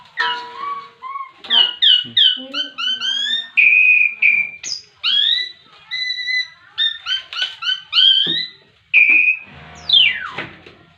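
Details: Ngetrek song of a young Javan pied starling: a lively, varied string of loud whistled notes, some rising and some falling, with sharp slurred phrases, short pauses between bursts, and a final sweeping downward whistle.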